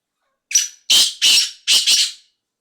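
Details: Loud close-range call of a black francolin (kala teetar): a thin opening note then four harsh rasping bursts grouped in two pairs, sharp and strained, over quiet background.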